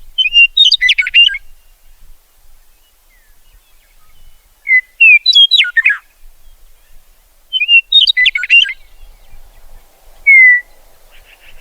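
A meadowlark sings three short, bright phrases about three seconds apart, each opening with clear whistles and tumbling into a fast, gurgling jumble, then one lone slurred whistle.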